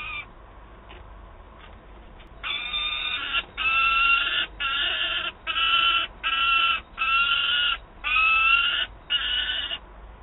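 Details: Young peregrine falcon in Wałbrzych, Poland, 9 August 2022, complaining to its mother and demanding prey: after quiet faint notes, a run of eight harsh, grating, drawn-out wails, each lasting about half a second, repeated roughly once per second.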